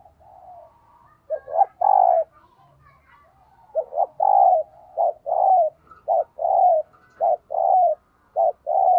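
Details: Spotted dove used as a lure, cooing in the thúc gù style to stir up wild doves: after a quiet start, a rapid series of paired deep coos repeats steadily, with faint chirps early on.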